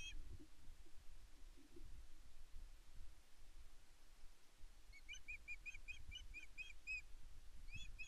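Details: On Loch Arkaig Nest One, 5 May 2024, a female Osprey begs her mate for fish. A brief call opens the stretch, then after a quiet pause comes a quick burst of eight or so sharp whistled notes, and a last pair closes it, over low wind.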